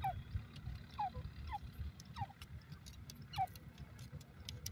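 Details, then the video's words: Teetar partridge giving short, sharp descending whistled notes repeated about every half to one second over a low constant hum. "cute partridge beautifull voice,beautifull pheasant sound"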